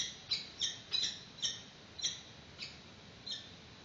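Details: Nesting peregrine falcons filmed by webcam in March 2019 at a chick's first feeding: a series of sharp, high, scratchy notes, quick at first and then slowing and fading over about four seconds.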